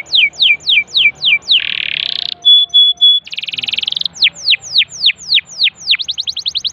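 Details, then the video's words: Loud canary song for prompting a silent canary to sing. Repeated downslurred whistles, a buzzy rasping trill, pure steady tones, a fast ticking roll, more sweeping notes, and a closing rapid chatter. "Pancing Kenari MACET jadi GACOR"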